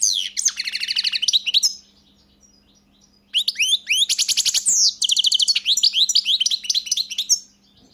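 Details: Goldfinch pouring out rapid buzzy trills and jangling twitters in two long bouts separated by a pause of over a second, over a constant faint low hum.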